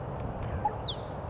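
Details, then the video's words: Male Musk Duck displaying to a female in the late afternoon at Lake Monger near Perth, Western Australia: a single sharp, high whistle sliding steeply downward, brief and loud over a steady low background hum. "a male Musk Duck displaying to a female"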